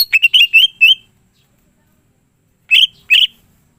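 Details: Greater green leafbird singing a quick burst of four or five clear whistled notes, a pause of about a second and a half, then two more matching notes. Nothing else is audible.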